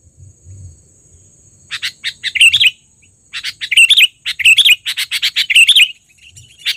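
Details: Trained sooty-headed bulbul in loud lure calling, starting after quiet low rumble with a flurry of quick chirps and rolling swooped notes, pausing once, then a denser excited burst; a thin continuous high tone runs throughout.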